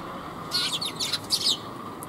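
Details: Several Eurasian tree sparrows arriving to be fed on 5 December 2021 give two quick clusters of sharp, high chirps about a second long, over a low steady hiss.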